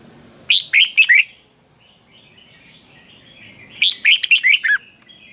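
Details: Training song of a caged Red-whiskered bulbul in Thailand: two bursts of four to six fast, bright whistled notes with sharp onsets, separated by about two and a half seconds of quiet with soft distant chirps.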